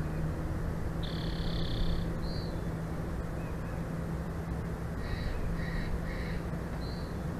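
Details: Bald eagle at its nest in Big Bear Valley, filmed by a live nest camera on 06/10/2024 at 14:45, home to a breeding pair: a drawn-out thin high whistle, then a run of short high piping notes, over a constant low rumbling hum.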